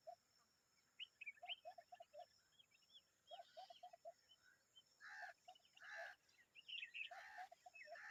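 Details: Common babbler adult with its young, calling together: bursts of high, squeaky chirps and short trilled notes in loose clusters, over a steady run of lower repeated notes from another bird.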